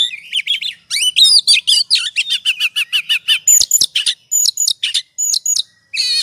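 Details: Oriental magpie-robin singing in ngobra style as a provoking lure; fast repeated sweeping whistles and chirps, then sharp high hooked notes spaced about half a second apart.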